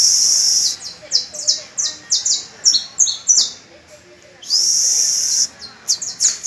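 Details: Caged canary tutoring young pupil birds on May first: a long high rolling trill, then a quick run of repeated downward-slurred notes, a brief pause, and another sustained bright trill followed by short chips.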